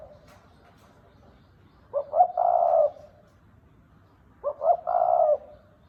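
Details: Red collared dove giving the 'thúc bổi' and 'gáy gù' cooing styles: two calls, each a stuttered pair of short notes running into a longer, steady low coo, with a pause of about two seconds between them. The background is quiet.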